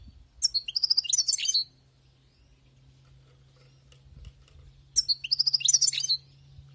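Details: Caught wild European goldfinch singing two long, bright phrases of quick twittering, jingling notes about four seconds apart. Soft low thumps and a steady hum fill the gap.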